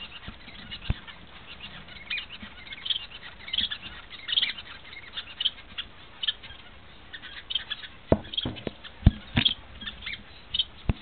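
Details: Double-barred finch (Owl Finch), a small finch about 10 cm long, giving thin, high chirps repeated every second or so, over a soft background with sharp taps and clicks near the end.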